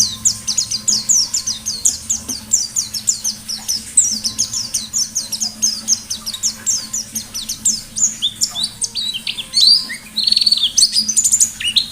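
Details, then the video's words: Long, rapid white-eye song from a lively wild-type bird: dense streams of high, quick, downslurred chirps, several per second, growing more varied and warbling toward the end, with a low hum behind. "Burung Pleci Gacor Ngalas Nembak || Pancingan Pleci Ngalas"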